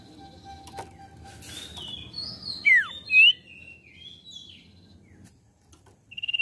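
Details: Common iora song used to coax a freshly caught bird into singing: soft warbled notes, then a falling whistle and a short rising whistle, a pause, and a rapid high trill starting at the end.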